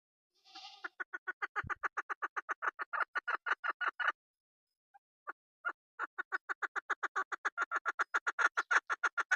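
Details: A local mountain female chukar partridge (keklik) used by hunters gives a long, fast, even train of chuck notes. It pauses after about four seconds and then resumes just as quickly.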